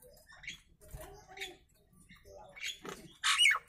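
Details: Nias hill myna uttering a varied series of short, chattering notes that builds to a loud, harsh screech at the end, in a quiet setting.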